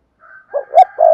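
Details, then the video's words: Spotted dove coo phrase, recorded for luring decoy birds: a faint thin tone, then two short rounded notes and the start of a longer low coo, all brief. "Tiếng chim cu gáy thúc gù sung, chuẩn dùng kích bổi"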